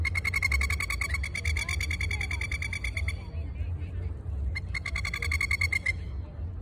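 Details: A pair of masked lapwings in Sydney's Royal Botanic Garden, Australia, give loud, rapid, ringing chatters of sharp 'kek' notes: one long burst of about three seconds, a pause, then another. Low wind or traffic rumble underneath.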